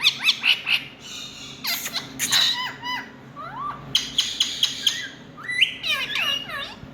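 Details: Loud Indian ringneck parakeet calls: short pure whistled pips, then hoarse broadband screeches, dipping whistled notes and a closing cascade of stacked, falling squawks.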